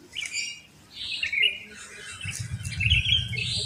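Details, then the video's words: Sooty-headed bulbuls at first light around a housing complex. Short, rich, liquid phrases follow one another, with a low rumble of background noise rising toward the end. "Pancingan Ampuh untuk Terapi Burung Kutilang Malas Bunyi"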